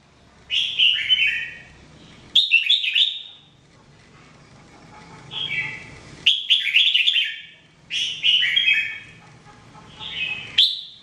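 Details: Red-whiskered bulbul, a jambul bird trained to sing every day, delivering a series of lively whistled phrases roughly every two seconds, each a rapid jumble of slurred notes, with a low hum beneath.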